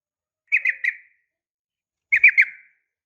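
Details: Yellow-vented bulbul female calling males, uplik tarung style: two short phrases of three clear, slightly falling whistled notes, separated by a second-long pause.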